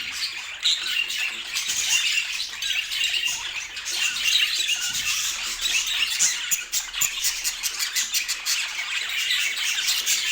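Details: Pet budgerigars in a steady group chatter meant to help listeners sleep; many overlapping high chirps, rapid warbles and raspy notes form an unbroken bright babble throughout.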